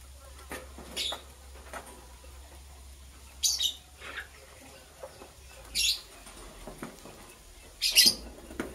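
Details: Green and blue lovebirds chirping in the morning while preparing for egg laying: four sharp, shrill chirps spaced a couple of seconds apart, with faint clicks and shuffling between them.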